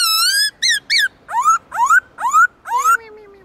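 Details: Captive black-throated laughingthrush switching song voices to arouse newly caught birds: two short falling whistles, then five rising, slurred whistled notes repeated about twice a second, over a faint steady background hiss and a low tone.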